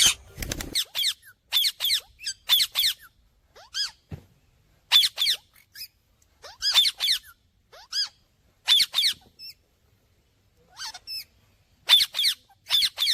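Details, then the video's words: Parrot chirping in short clusters of sharp, scratchy notes, each cluster two or three chirps long and separated by brief silences. The pattern repeats steadily through a fairly quiet recording. "Talking Parrot Chirping Sounds"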